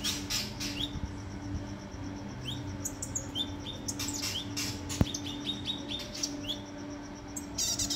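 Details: Morning song of a kinoi: quick groups of short, high downslurred chirps repeated in bursts, set against a constant low droning background and one sharp click midway.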